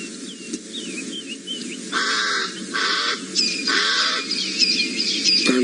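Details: A pied crow near hyenas at a buffalo kill in a South African game reserve, 28 August 2017, gives three or four harsh, grating caws about a second apart, over thin whistles of other birds and low outdoor hum.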